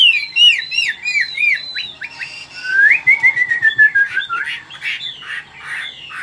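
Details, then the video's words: Old wild-caught Chinese hwamei kept caged, with forest-style song: fast descending whistled notes, then long liquid slurred whistles and varied warbling phrases, with faint low background clatter. "Chim già rừng, Cao cầu - Bộ to mẫu chim rất đẹp- Giọng rừng"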